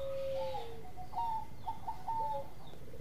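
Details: Zebra dove of the Bangkok type, a lively singer used as a tutor recording for other birds; several clear whistled coo notes, some held and some slurred downward, over steady low background rumble.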